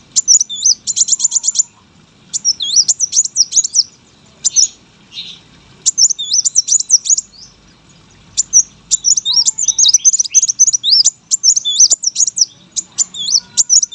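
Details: Brown-throated sunbird kept as a contest bird, giving long chatty masteran song: repeated bursts of thin squeaky twisting notes and fast ticks, growing denser toward the end.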